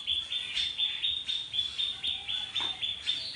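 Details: Birds in a village backyard with natural nests, beside a small river: a rapid, steady run of high, bright chirps, about four a second, with fainter twittering from other birds behind.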